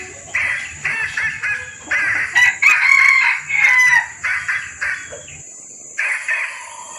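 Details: A female red junglefowl in heat calls for males in this lure recording: a run of clucking notes builds into a drawn-out, slightly falling squeal near the middle, then clucks again, over a constant high-pitched hiss.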